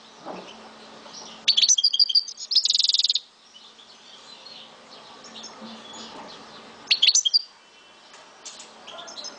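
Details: Souk Ahras goldfinch of the Algerian type, kept as a pet, giving two short song bursts: tinkling twitters running into a dry buzzy rattle, then a brief twittered phrase after a long pause.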